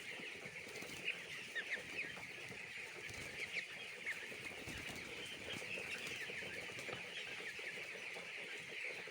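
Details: Many chicks on a poultry farm peep together in a busy, unbroken high chorus, some calls standing out as short rising chirps, with faint rustling below.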